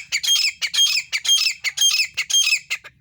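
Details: Calling female grey francolin in India, rasping high notes repeated in a steady rhythm, about two phrases per second, each a paired harsh squawk, with faint low background rumble.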